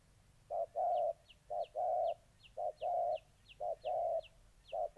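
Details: Spotted dove, a molting decoy bird facing an aggressive wild-caught rival, Gia Lai, Vietnam, August 2020: low cooing in pairs, a short note then a longer held one, repeated about once a second, with faint high chirps above.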